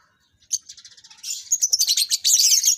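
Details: Lovebirds kept for breeding, being paired for mating: loud, high shrill chattering, a quick run of rapid chirps building into dense, continuous screeching twitter.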